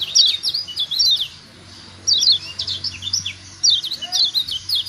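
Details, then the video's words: Lombok yellow white-eye (kecial kuning) giving ciak calls meant to stimulate other birds to call; sharp high downslurred chirps in two rapid bursts, a quiet gap, then a third burst, over a faint low hum. "Ciak ciak Jos Kecial Kuning Ampuh Merangsang Bunyi Jadi Rajin Bunyi 100% Yang Dengar Nyaut"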